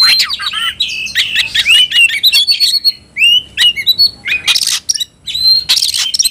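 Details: White-rumped shama in an agitated state seeking an opponent, delivering a dense torrent of song: quick whistled slurs, downward-sweeping notes, harsh noisy bursts and clicks, varied phrases following almost without pause.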